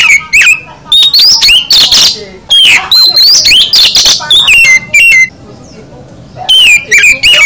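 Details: Oriental magpie-robin (kacer) in continuous full 'isian' song: fast, varied whistles, rising slurs and harsh notes packed closely together, with a brief lull near the end.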